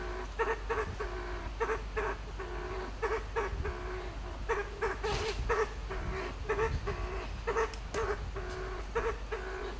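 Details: Kalij Pheasant ascending its roosting tree at dusk in a western Himalayan sanctuary, making trilling and clicking sounds. Short, mid-pitched clucking notes with a slight buzz repeat steadily in quick bursts over faint forest background.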